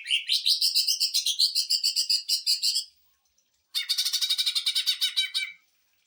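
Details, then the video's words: Greater green leafbird's rapid 'sewing machine' song, used to tutor and provoke other birds: a long machine-gun run of quick high pulses for three seconds, a brief pause, then a lower harsh rattling burst. "CUCAK IJO TEMBAKAN MESIN JAHIT UNTUK MASTERAN DAN PANCING EMOSI"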